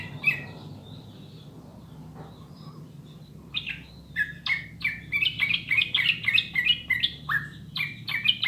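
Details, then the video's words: Sooty-headed bulbul, clear song played to prompt birds to sing fast and often: after three quiet seconds with a few faint chirps, a lively stream of quick, warbling, slurred notes bursts out and continues. "SUARA JERNIH PANCINGAN MASTERAN TRUCUKAN UNTUK BURUNG AGAR CEPAT BUNYI DAN GACOR"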